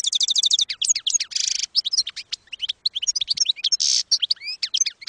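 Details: European goldfinch singing in the campero style, used for training young goldfinches: dense, fast twittering with quick rising and falling chirps, a rapid trill of repeated notes at the start and short buzzy bursts between phrases.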